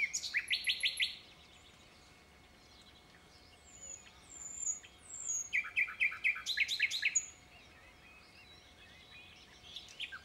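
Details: Rufous nightingale sings two bursts of rapid, repeated chattering notes, with thin high whistles between them and quiet pauses; a faint steady hum runs underneath.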